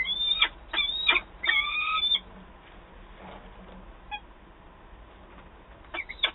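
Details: Peregrine falcons at a nest in Wałbrzych, 13 April 2023, during a nest change-over as the male arrives and the female quickly flies off. Harsh, grating calls come in bursts over the first two seconds, then another brief pair near the end over steady hum.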